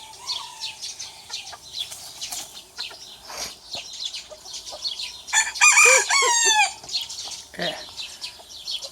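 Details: Rooster crowing while challenging another rooster, a small and a big rooster in conflict; one loud, harmonic, strained crow lasting about a second and a half midway, over constant high twittering of many small birds.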